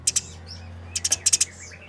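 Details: A brief passage of fighting Eurasian tree sparrows: a pair of sharp chirps, then a quick cluster of five harsh chirps, with faint high twittering and a low hum.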